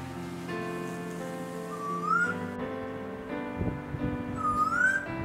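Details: In the Hunter region of New South Wales, a male Eastern Koel calls from his favourite perch in slow, repetitive mode while the female searches for a nest to parasitise: two rising whistled notes about two and a half seconds apart, over background music.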